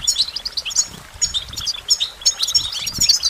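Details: Short stretch of goldfinch song, busy high-pitched twittering with sharp chirps and little trills packed closely together.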